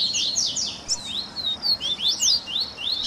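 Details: Double-collared seedeater song from a tui tui baderna for training captive birds: clear, high whistled slurs, some rising and some falling, spaced roughly every quarter second.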